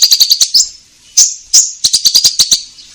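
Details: Fast stuttering series of high chirps from an orange-headed thrush singing eagerly as a lure for caged birds, broken by two longer rising whistles, then another rapid chirping run.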